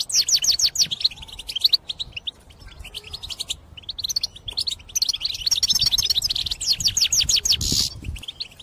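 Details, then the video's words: European goldfinch song intended for trapping: long runs of rapid liquid twittering and tinkling notes, with short pauses between bursts and a brief harsher buzz near the end. "غناء مقنين يهز السلاكة من شدة الغناء مخصص للصيد"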